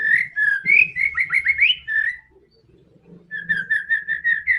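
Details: Song of a white-rumped shama used to stir a silent bird to sing: quick rhythmic series of clear whistled notes, rising and falling, a pause with faint low rumble, then a steady repeated whistle series.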